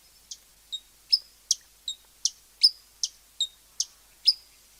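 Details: Hummingbird repeating thin, very high chips about two and a half times per second, several stretched into short whistled tails, against silence.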